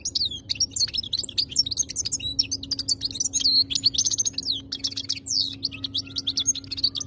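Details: European goldfinch, a cage bird kept in Algeria, singing a fast, high twittering song of buzzy trills, sharp chirps and short rising and falling whistles, with a steady low hum in the background.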